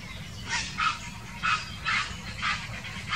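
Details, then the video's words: Grey herons quarrelling, recorded in 2018: harsh, broadband croaking bursts about every half second, with six rasping calls rising and falling in loudness over low background rumble. "Streit an Ort und Stelle (Graureiher)"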